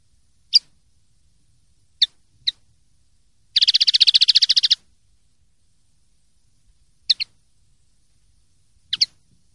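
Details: Common linnet in the clean 'limpio' song style, 2023/2024 silvestrismo recording: sparse single and paired high chips around a fast rattling trill of about fifteen pulses, then more spaced twitters.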